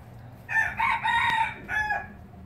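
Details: Red junglefowl crow from a pure Laos breeder, 2016: a loud raspy phrase in three joined pulses, a brief pause, then a shorter final note, with a sharp click midway and low background hum.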